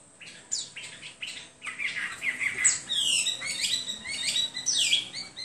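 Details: Hwamei song opening with a few separate high notes, then building into quick sweeping whistles and rich rising and falling phrases.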